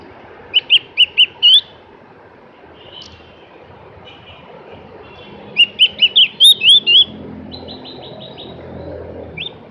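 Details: Javan grey-throated white-eye singing: two bursts of bright, high chirped notes rising and falling, each about a second long, then a quick rattling trill of even notes; soft background hum between phrases.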